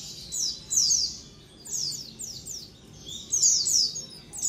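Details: Lure recording of a white-eye colony: three bursts of bright, high descending chirps separated by short gaps, multiple birds overlapping.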